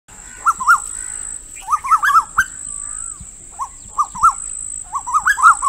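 A female Asian koel gives bursts of quick, bubbling kik-kik notes in uneven clusters. A thin, steady high whine runs behind throughout.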